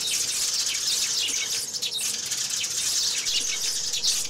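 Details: Sparrows calling and fighting give a rapid, crowded chatter of shrill chirps. It swells and dips slightly over a few seconds.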